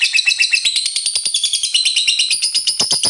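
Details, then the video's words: Sustained ngekek of a lovebird, the long trill that prompts rival lovebirds to join in; very fast buzzy high-pitched chatter, about four pulses a second, continuing throughout. "Lovebird GACOR Ngekek Panjang FULL EMOSI, RANGSANG LB Lawan Ikut Bunyi NGEKEK"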